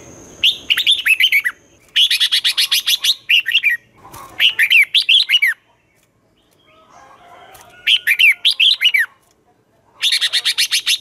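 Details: Morning song of a red-whiskered bulbul in the 'giọng xoắn' twisted style, sung to coach young birds in competition singing: five rapid phrases of bright, rolling, slurred whistles separated by short pauses.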